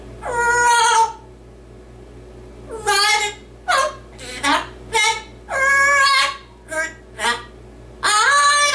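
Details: A pet yellow-naped amazon, singing "Oh Lord, It's Hard to Be Humble" and reciting a Dr. Seuss book, speaks in a nasal, human-like voice: long drawn phrases mixed with short clipped syllables, about a dozen bursts in nine seconds, in a quiet room.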